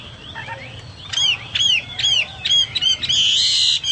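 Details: Chinese hwamei song compared to cucak Papua or cucak mas: soft opening notes, then sharp repeated whistled chirps in a fast, uneven rhythm, ending in a sustained loud buzzy trill.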